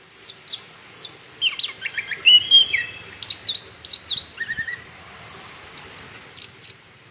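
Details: Orange-headed thrush in energetic full song, used as a lure to prompt other birds to sing: varied whistled and slurred phrases, some long sustained high notes, bursts of quick chips between pauses.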